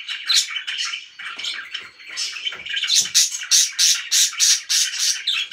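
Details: Cheerful pet budgies give a scratchy, murmuring warble that builds into a rhythmic series of sharp, clicky chirps, roughly two per second, toward the end.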